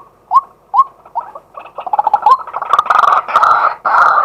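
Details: A male white-breasted waterhen calling in daylight, recorded live on a set-up camera: three or four spaced upslurred notes break into a fast, rising, harsh chattering chorus that grows louder and denser to the end.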